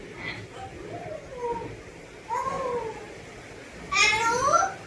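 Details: Pet African grey parrot talking in Telugu indoors: three separate speech-like utterances with gliding, harmonic voiced tones, the last one louder and brighter, with quiet room noise between them.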